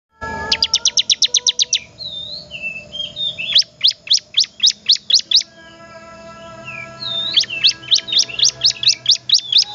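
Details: Bar-winged prinia (ciblek) in full, vigorous song: three bursts of rapid, sharp descending notes, about ten per burst, separated by soft short whistles.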